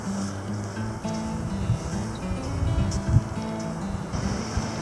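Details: Low engine drone and steady music-like tones with water noise; no animal calls can be picked out.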